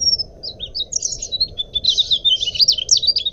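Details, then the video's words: Clear Mugimaki flycatcher song meant as a lure or training master for cage birds: a thin opening whistle, then an accelerating run of high, tumbling twittered notes filling the phrase, with low steady noise beneath. "suara burung sikatan mugimaki buat pancingan atau masteran jernih"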